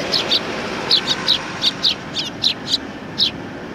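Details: Sparrows at a Tenmangu shrine in Japan, 18 September 2020, greeting a visitor: short bright chirps repeated irregularly, several in quick pairs, over a steady low hum of distant traffic.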